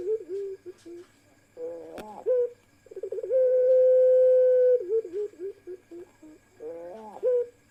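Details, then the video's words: Pelung ringneck doves, several birds with one female among them: choppy short coos build into one long, even, sustained note, then more stuttered coos follow, with a sharp click near the start. "Parade Suara Puter Pelung Paud"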